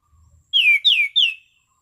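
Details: Orange-sided thrush in good condition delivering a calm, clear ngeplong song: a soft low rumble, then three strong whistled notes that each fall in pitch, spaced in a steady rhythm.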